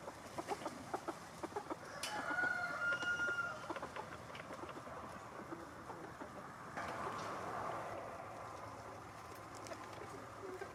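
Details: Roosters and hens out in the snow on a cold day, the hens pecking: quick tapping clucks, then a fainter, fairly level crow of about a second and a half, followed by steady background rumble and scattered clicks.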